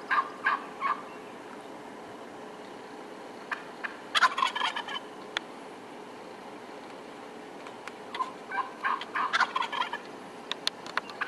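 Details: Wild turkey near Wetzel Lake, northern Michigan, giving scattered bursts of raspy yelps and clucks in three loose clusters, separated by quieter stretches of steady outdoor background hiss.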